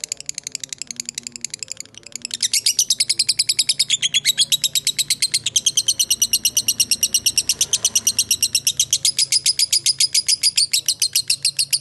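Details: Long 'ngekek' chatter of a lovebird, lure for fighter lovebirds; quieter ticking at first, then from two seconds a loud, fast, unbroken run of high clipped notes.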